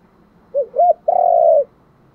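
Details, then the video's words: Spotted dove luring coo, clear and close: two short curved hoots followed by a drawn-out, mellow coo ending in a slight drop, heard once against quiet surroundings. "cu gáy thúc gù gáy gọi/ tiếng chim cu gáy đủ bài"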